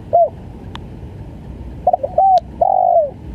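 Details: Spotted dove cooing, a single coo then a stuttering burst of short notes ending in a longer falling coo, over steady hiss with a couple of faint clicks.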